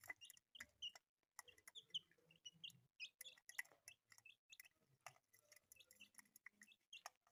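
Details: A group of colourful pet chicks chirping almost nonstop: quick, high, slightly rising peeps from several birds, with pecking clicks and light rustling underneath.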